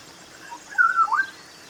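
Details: A Black-winged Oriole (Oriolus nigripennis), an African species, gives a short, liquid whistled phrase, a few fluty notes sliding down then up, over quiet background hiss.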